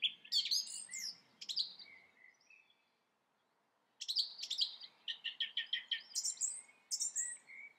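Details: Song thrush, a burst of shrill varied notes followed by a pause of about two seconds, then a run of repeated clipped phrases and high squeaky notes.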